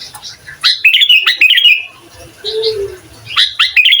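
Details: Lively sooty-headed bulbul whose song is meant to provoke other bulbuls, for training recordings: short bursts of bright liquid whistles sliding downward, a soft lower whistle between phrases.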